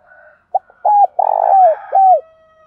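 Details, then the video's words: Spotted dove coo used in training to excite male birds: a few short clipped notes, then a long throbbing rolling coo and a closing downward-sliding hoot, with a thin faint whistle in the background. "tiếng Cu Gáy Giọng Hạp BổI [ TIẾNG GÁY GỌI,THÚC,GÙ ]"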